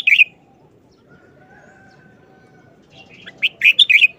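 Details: Red-whiskered bulbul singing a short wild-style song with quick, clipped delivery: one bright warbled phrase opens, then after a pause a rapid run of five or six chirpy, rising-and-falling notes, all fairly high and clear over quiet background.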